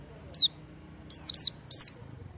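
An oriental white-eye gives four thin, very high notes, each sliding quickly downward, three of them bunched together near the end; a faint low hum runs underneath.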